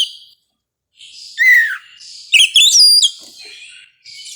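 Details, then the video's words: Oriental magpie-robin at dawn giving a varied song: a falling whistled slur, then rapid chirps and sharp rising whistles, over a faint continuous high hiss. "suara kacer di subuh hari"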